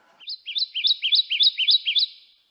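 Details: Kentucky Warbler, a ground-dwelling warbler of bottomland hardwood forests; its song is a rolling series of about seven quick, rich two-note phrases, each a lower then higher slurred note, repeated evenly over two seconds.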